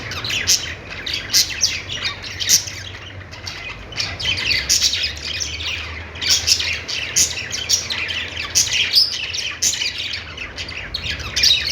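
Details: Budgerigars keep up a long, lively chatter of high chirps, squeaks and warbled phrases, pulsing in repeated bursts with no pauses, over a constant low hum.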